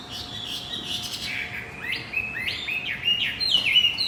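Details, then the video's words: Lure recording of Javan white-eye song meant to restart a male that stopped singing: quiet high chatter building into a quicker series of clear, upward-sweeping whistles, growing louder in the final seconds. "Pancingan kicau wambi macet"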